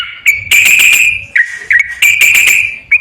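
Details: Yellow-vented bulbul singing as a lure for a quiet bird: clear whistled notes with dips, alternating with harsh, rattling bursts, repeated in phrases about a second apart.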